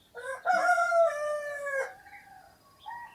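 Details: Early-morning rooster in Namje Village, Dhankuta, recorded on a Sony camera. A single strong crow opens with a short rising note, then a long level drawn-out tone that ends abruptly. Softer bird calls follow in the quiet village air.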